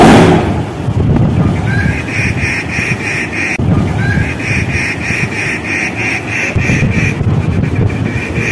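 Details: Rufous treepie visiting a fig tree, giving a steady run of harsh, nasal, buzzy notes, about three or four per second, repeated evenly for several seconds over a low rumbling background.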